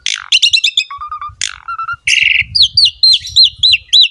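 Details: Asian pied starling in gacor master song for a quiet captive jalak suren: chattering bursts, low short whistles, a buzzy trill, then a series of looping whistled notes repeated rapidly, about three per second.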